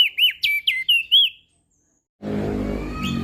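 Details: Crested white-eye of Lombok singing a tutor song for reluctant singers. Six quick arched whistles come in a rapid run, then a pause, then a burst of broad noise with one faint chirp.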